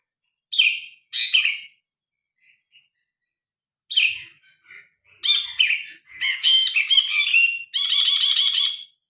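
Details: Loud, varied song of a grey-cheeked bulbul, captured by phone for bird tutoring: two quick bright phrases, a pause with faint notes, then busier chattering phrases building into a dense rattling trill at the end.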